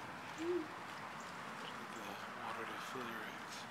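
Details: A female great horned owl hoots on the ground by a fountain, seeking unfrozen water, on 30 December 2013. There is a single low, soft hoot near the start, then quieter muffled notes over faint background hiss.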